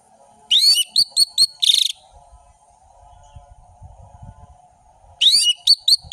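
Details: Ngeplong song of the orange-headed thrush: a sweeping whistle followed by quick chipped notes and a rasping burst, a few seconds of near-silence with soft rustling, then another bright whistled run.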